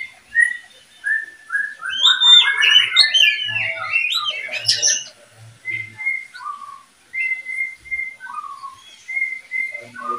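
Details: Oriental magpie-robin breeding pair: a dense, rapid tumble of whistled and warbled notes for several seconds, then spaced single clear whistles, some level and some dropping in pitch.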